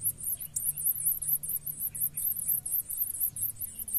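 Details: Blue-black grassquit nestlings being fed by their parents keep up an unbroken, rapid series of shrill, high-pitched wavering squeals, with a soft low rumbling hum beneath.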